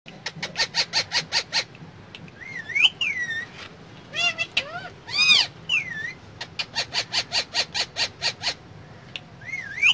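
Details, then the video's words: Pet parrot talking inside a car: a run of rapid harsh repeated notes, then swooping whistled phrases and bursts of chattering syllables, with a steady low engine hum underneath. "Mitthu Talking In Car"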